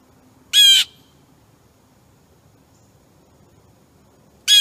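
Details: Blue jay at a suet feeder, recorded August 22, 2015, while a wild turkey wanders by: two loud, grating jay squawks roughly four seconds apart, each short and buzzy, with near silence between them.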